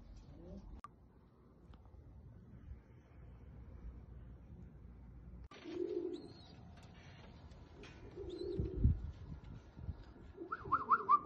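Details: Fancy American Shamshi pigeons, mostly quiet room hum, then two low, drawn-out throaty coos, the second bending downward, followed by faint clatter and higher chirping sounds.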